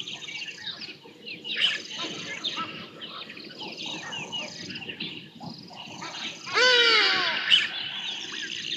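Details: Juvenile Black Sparrowhawk hunting for lunch at Djuma Private Game Reserve on 5 January 2024, caught on a live wildlife camera: one loud, harsh, ringing call lasting under a second, richly layered and slightly falling, over a dense background chorus of chirping songbirds.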